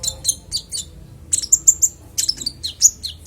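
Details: Konin, a songbird used as training audio for other songbirds, giving a varied, very high twittering song: bursts of short sharp notes, a brief pause, then rapid piping whistles and descending chips.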